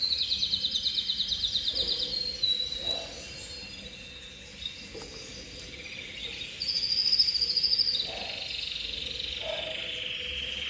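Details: Canary of the copper cobalt intense colour variety in song. It opens with a fast, high, rattling trill, then softer notes and a pause, then another sharp rapid trill and a lower sustained roll. A constant low hum sits underneath.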